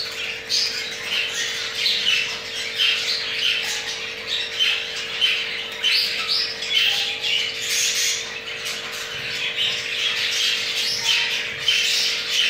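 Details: Crested jumbo male budgerigar caught mating, his pair having two eggs; long stretch of lively scratchy warbling, chirps and squawks in quick uneven bursts, over a constant hum.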